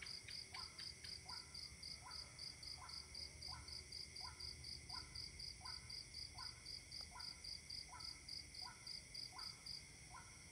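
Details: Waterhen recorded overnight on October 28, 2018, repeating short falling croaks about every half second over a steady shrill pulsing of crickets at night.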